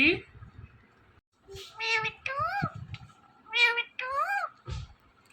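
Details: Indian ringneck parakeet talking indoors: a run of nasal, harmonic meow-like calls with rising and falling bends, in short bursts separated by quiet gaps, plus a louder call near the start and a low thump near the end.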